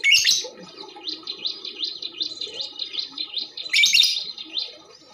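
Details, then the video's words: Female lovebird, its calls used to spur other birds into song: a run of high, rising-then-falling chirps repeated about twice a second, framed by two harsh, loud bursts at the start and near the end. "SUARA LOVE BIRD BETINA"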